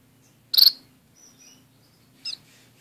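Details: One of two pet orange-cheeked waxbills, kept in a small cage with a society finch, gives two brief, high, buzzy chirps about two seconds apart, with faint thin whistles in between.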